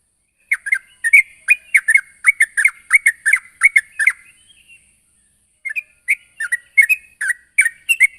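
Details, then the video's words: Sooty-headed bulbul calling a rival with fast series of sharp, slightly buzzy chirps for about four seconds, a silent pause, then more spaced chirps resuming. "suara burung trucukan gacor memanggil lawan"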